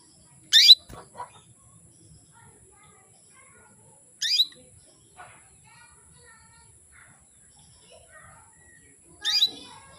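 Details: Female canary calling to arouse males and get them singing: three sharp, high, downward-sweeping chirps spaced several seconds apart, with soft faint chatter between them.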